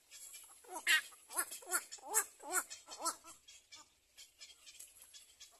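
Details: Little black cormorant at its nest, the mother bird covering her chick. A run of about seven hoarse, arched, harmonic calls, roughly two per second, louder in the middle and then fading into softer notes over a faint hiss.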